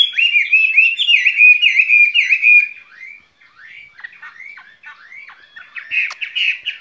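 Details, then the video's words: Skylark in a cage, singing a spring love song: a loud, fast warble of looping notes for about three seconds, then quieter, scattered chirps that pick up again near the end. "lồng son ca bản tình ca mùa xuân"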